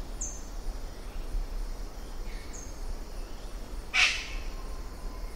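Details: A Western Parotia (Parotia sefilata), Papuan bird-of-paradise, gives one loud, harsh, rasping "shack" scold; thin high tinks from another small bird every couple of seconds over a low background hum.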